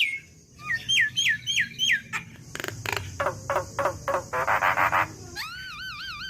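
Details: Juvenile black-winged myna, recorded as a lure and training track for other mynas: a run of short falling whistles, then stuttering clicky rattles and a dense chattering burst, ending with a wavering warbled whistle repeated several times.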